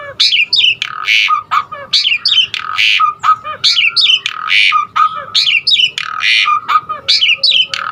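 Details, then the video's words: Asian pied starling repeating a harsh, gurgling phrase roughly every two seconds, mixing raspy bursts with slurred notes, as varied filler song used to stimulate other starlings. "Jalak Suren Aneka Suara Isian Uniknya Bikin Burung Jalak Manapun lkut GACOR Full Isian VARIASI"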